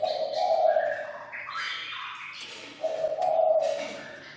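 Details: Decoy Chinese francolin calling the flock, crowing intensely: two loud, harsh, steady bursts about a second long, separated by a gap filled with fainter chirps and whistles from other birds.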